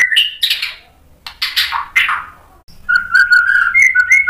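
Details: Provoking song of a white-rumped shama: harsh, broad rasping notes separated by pauses, then a run of clear, lower whistled notes with high chips.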